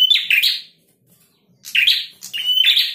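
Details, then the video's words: Singing male prinia: three scratchy, buzzy notes rising and falling in quick succession, a brief silence, then a second matching burst of grating chirps. "Prenjak Jantan Gacor."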